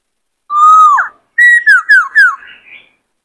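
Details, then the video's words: Caged male white-cheeked laughingthrush singing and dancing to stimulate newly caught birds; a level whistled note with a twist, then a series of four falling whistles ending in soft warbling. "Khướu bạc má hót nhiều giọng hay Luyện khướu bổi kích khướu trống căng lửa hót múa"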